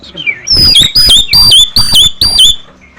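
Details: Nias hill myna, tame bird in full song used as training audio to prompt other birds, giving five loud ringing whistled phrases, each dropping sharply in pitch with a clattering edge, about every half second.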